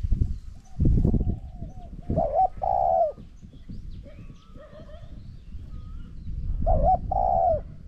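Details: Spotted dove cooing during a decoy session, with a caged decoy set against a wild bird that coos strongly. Two loud, low, throaty two-part coos, each a short hiccup then a drawn-out croon, about four seconds apart, over low rumbling handling noise.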